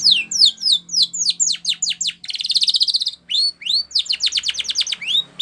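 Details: Canary training song: rapid series of downward-sweeping whistled notes, a dense buzzy trill in the middle, then more quick descending strokes and rising slurs, all high-pitched and continuous.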